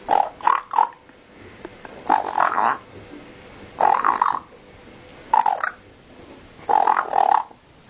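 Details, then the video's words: Pet parrot imitating a pig: five bursts of grunting, oink-like noises, each a short cluster of two or three nasal pulses, spaced about one and a half seconds apart, in a quiet room. "the parrot makes piggy noise"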